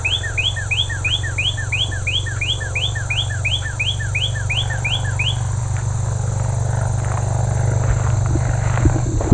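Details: Northern Cardinal, a bright red male, on a late-summer rail trail in Gypsum Mine Tract, Haldimand, Ontario, sings an unusually long run of about fifteen clear, down-slurred whistles over five seconds, above a steady low rumble.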